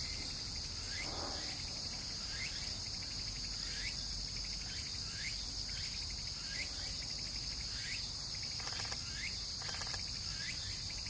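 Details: Narcissus flycatcher singing: short rising whistled notes repeated roughly every 0.7 seconds, partly masked by a loud, steady, high insect drone that runs throughout.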